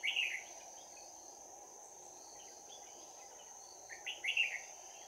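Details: Red-whiskered bulbul in a trap as a decoy, 11 January 2019, singing close-quarters fighting song in a ringing 'bell voice': a warbled phrase opens, faint notes follow, and a second bright burst of slurred whistles closes, over hiss and a high whine.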